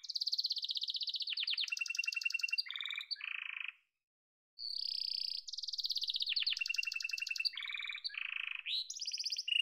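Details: Yellow canary delivering two near-identical song bouts separated by a short silence, each a chain of high trills, rattling lower tours and a rising sweep, clear and rapid.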